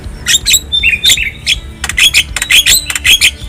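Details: Javan myna from the wild, song used as a tutor for caged birds: paired scratchy notes repeated about twice a second, with a short run of lower whistled chirps in between.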